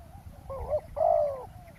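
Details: Spotted dove in a roadside ground-trapping setup: a brief wavering coo then a stronger sustained hollow coo, soft and mid-pitched, with faint low background noise.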